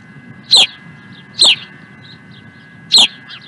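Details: Osprey, Dunrovin Ranch, 16 April 2020: three sharp whistled cheeps, the first two close together and the third after a longer pause, with quiet chirps in the gaps over a background hum.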